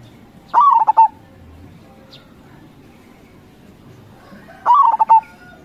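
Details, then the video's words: Two crossing-style phrases from a local zebra dove, recorded to lure other local doves: each a rising, bubbling coo breaking into several rapid pulsed notes, about four seconds apart, with faint background noise. "Suara Perkutut CROSSING GACOR SUPER Paling dicari, Perkutut Lokal Gacor"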